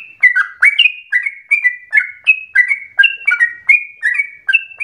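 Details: Yellow-vented bulbul singing, played as a lure to prompt other bulbuls into long, sustained song; fast run of liquid, downward-sliding whistled notes, roughly two to three each second, continuous and clear with no other sounds.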